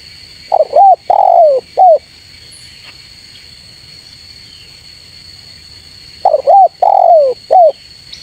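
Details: A spotted dove calls to provoke rivals, two identical coo phrases about six seconds apart, each stuttered, arched, then long and falling, ending in a brief coo; a steady high whine runs throughout.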